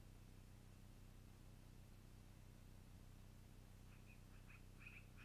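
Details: A long-eared owl nest recorded around 21:00 on 12-04-2018: near-silence except a low hum, then a quick burst of high squeaky calls fills the final second and a half.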